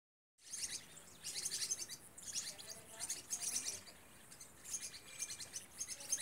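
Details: Green-rumped parrotlets, a group at Vale do Rio Real, giving dense bursts of high, buzzy chirps in overlapping clusters that come and go every second or so. Faint rural background hiss runs underneath.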